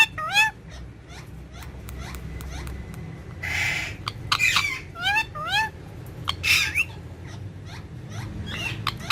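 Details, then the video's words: Pet green ringneck parrot facing a mirror gives a busy mix of upward-sweeping whistles and rasping squawk bursts, some notes stacked and repeated rapidly, with low room hum beneath. "Green Ringneck Parrot In Urdu Hindi Talking With Mirror"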